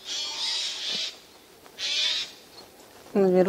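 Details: Eurasian jays hiding in spruce trees, one seen at the very top, recorded 13 September 2024: two harsh, hoarse rasping screeches, each about a second long, then a woman's voice begins speaking at the end.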